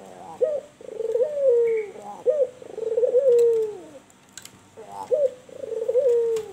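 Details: Kuwor bekur cooing from a white albino turtle dove singing steadily. A short sharp lead note precedes each long, low, smoothly descending coo. Three phrases come about every two seconds over light background hiss.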